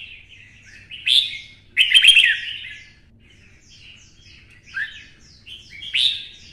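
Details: Red-whiskered bulbul singing in the 'twisting voice' style, stirred up to deliver a fierce fighting song: short bursts of bright, warbled, chattering phrases separated by quieter twittering, with two loud outbursts early on and another near the end.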